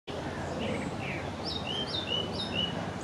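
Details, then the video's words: A song thrush singing in a tree beside the Long Water gives short, clear whistled phrases, several in quick succession, fairly faint over a steady background rumble and hiss. "Song Thrush"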